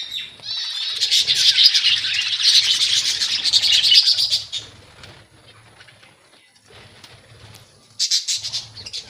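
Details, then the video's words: A flock of budgerigars in a colony rather than cages sends up a loud, rapid warbling chatter for about four seconds. It fades to soft chirps, then loud twittering returns. A low steady hum runs underneath. "Budgies Parrots colony"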